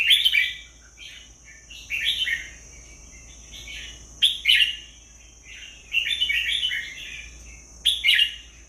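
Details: Red-whiskered bulbul repeating bright, chattering, warbled song phrases every second or two, some rich and rolling, others short sharp notes, over a low continuous background hiss.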